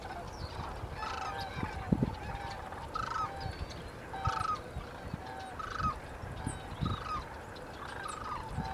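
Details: Sandhill cranes at the Woodbridge Ecological Reserve (Isenberg Reserve) near Woodbridge, California, on a foggy late-October 2011 morning; several birds give rolling, trumpeting calls that overlap and repeat about every second, over a low rumbling background.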